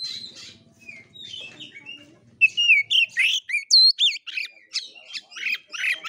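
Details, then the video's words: Kura-kura fighting-style singing by an oriental magpie-robin: soft faint whistles and murmuring at first, then a loud burst of rapid, looping, upward-sweeping whistles and sharp notes repeated several times a second. "KACER NGEPLAY TARUNG|GAYA KURA KURA"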